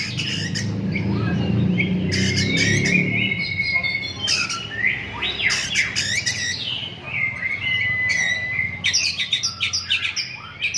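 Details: Oriental magpie-robin delivering its learned repertoire, a busy mix of harsh squawky notes, sweeping whistles and level sustained tones, with a low rumbling hum in the first seconds.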